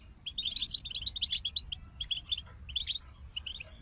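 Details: Goldfinch song from a songbird group: a loud burst of bright, jingling notes early on, then thinner spaced chirps and short twittered phrases that fade toward the end over a soft low hum.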